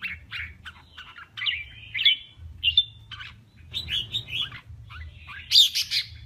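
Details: Male red-whiskered bulbul in contest singing, recorded to provoke other males: short bright warbled notes and slurred phrases in quick bursts, with a harsher rasping burst near the end, over a steady low hum.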